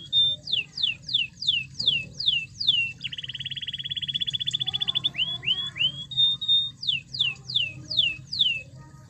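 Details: Canary song used to goad a quiet canary into singing: high falling whistled notes in series, a dense rapid buzzing trill in the middle, then more sweeping whistles, with low hum throughout.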